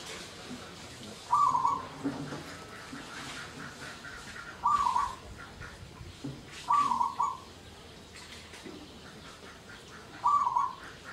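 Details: Local zebra dove lure song, meant to arouse mating drive and emotion in other doves and spur them to sing: four short, rolling, bubbling coo phrases at uneven intervals over faint background hiss.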